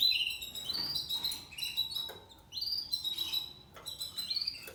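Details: Seven-month-old male Spanish Timbrado canary singing discontinuo: rising whistled phrases and short metallic notes repeated in loose groups, moderately soft.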